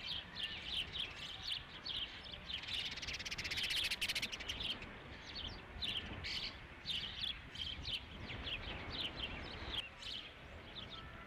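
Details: Osprey calling at the Dunrovin Ranch nest, 3 July 2016, during the fifth fish delivery: a long, busy run of high, thin chirped notes in quick, uneven series, with a brief rustling or flapping burst near the middle and faint background noise.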